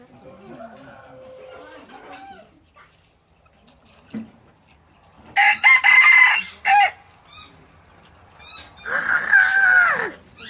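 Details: Two loud, strained crows from a red junglefowl kept as a decoy bird, each a rough burst of over a second, spaced a few seconds apart, with soft voices and quiet stretches before them.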